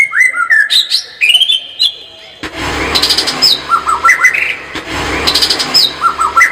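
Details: Chatty white-rumped shama song: rising and falling whistled notes at first, then repeated phrases of bright slurred whistles over a rougher background hiss.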